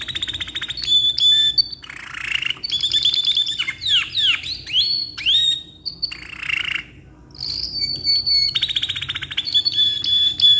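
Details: Long tutoring song from a caged canary of black-red ngeroll type: whistles, buzzy rolls and a run of descending slurred sweeps, a brief quiet gap, then high steady whistles and trills.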